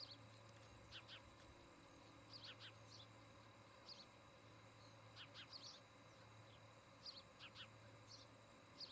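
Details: Osprey pair at their nest near Charlo, Montana, recorded by a nest camera on the evening of 17 August 2018; faint high chirps come singly and in pairs, with a steady low hum and background hiss.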